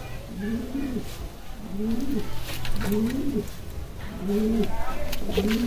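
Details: Kalsara pigeons cooing indoors in a small room: low, rolling coos repeated roughly every second, each a rising-then-falling throaty phrase, with faint voices in the background.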